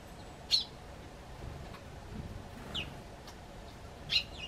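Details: Eurasian tree sparrow calling from a garden bench toward a person coming out of the front door: three separate short, high chirps spaced over about four seconds, steady faint hum between.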